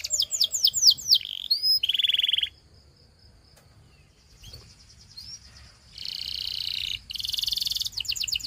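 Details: Canary singing for training: a few falling whistled notes and a buzzy trill, a quiet stretch with one thin note, then loud rattling trills to the end.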